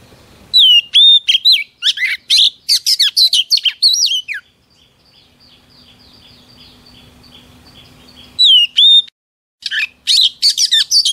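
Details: Female Oriental magpie-robin whistling to rouse males: two bursts of rapid song, each opening with clear descending whistles and then dense chirps and buzzy notes. About four seconds of near silence with a faint steady hum separates the bursts.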